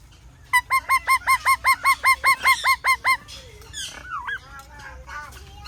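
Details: Parrot giving a fast run of about twelve loud, ringing, down-slurred calls, roughly three per second, then scattered twisting chirps and squeaks.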